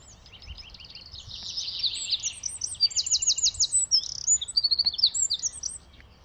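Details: A Eurasian wren by a garden path bursts into a loud, high song of rapid chattering notes and dry trills, run together for about five seconds over faint background hiss.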